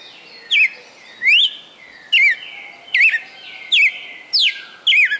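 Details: A captive red-cowled cardinal from Fortaleza in Ceará, Brazil, giving its celebrated 'perfect song' of 20-plus notes: sharp whistled slurs, some falling and some rising, spaced irregularly, seven within five seconds, in otherwise quiet surroundings.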